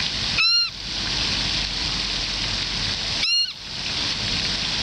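A moorhen gives two short, honking notes about three seconds apart over steady rushing background noise, perhaps water.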